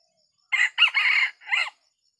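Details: Red junglefowl crow in a small oil palm plantation in Sumatra, where a decoy rooster is used to lure wild junglefowl. A clipped, harsh three-part crow: a short note, a longer strained middle and a brief falling end, in quiet surroundings.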